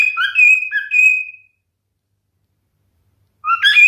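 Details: Brief whistled song from a male cockatiel: upward-sliding chirps and held clear whistles, a pause, then the song resumes.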